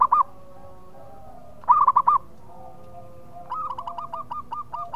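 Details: Zebra dove, a local bird singing loudly and often, offered as a breeding-mood lure: two short clusters of rapid coos separated by a pause, followed by a quieter bird giving a longer even series of notes.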